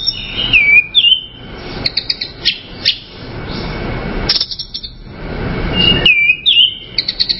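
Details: Orange-headed thrush song: bursts of sweet, slurred whistles mixed with rapid high chips, separated by pauses filled with a soft rushing background hiss, with the phrases returning loudly near the end.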